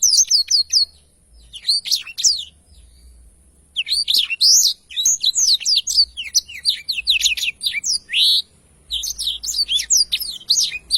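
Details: Blackthroat in a long, continuous rolling song: rapid bursts of high, sharp, whistled and chirping notes in dense phrases, broken by short pauses, with a faint steady high hiss behind.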